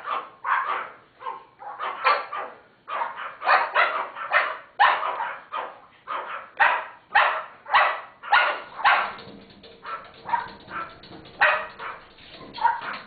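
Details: A pet cockatoo barks along with teacup Pomeranian dogs, giving rough, harsh dog-like yaps repeated almost twice a second.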